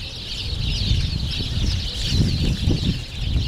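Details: Sparrows bathing in sunlit spring puddles in Friendship Park, Moscow, on 3 March 2014: a continuous dense chorus of high chirps from many birds, over heavy low rumble and soft splashing or wing-flutter sounds.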